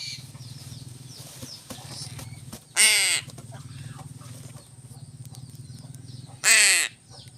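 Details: Crow being fed fish gives two harsh, raspy caws about four seconds apart, separated by quiet stretches filled with a continuous low mechanical hum and faint background chatter.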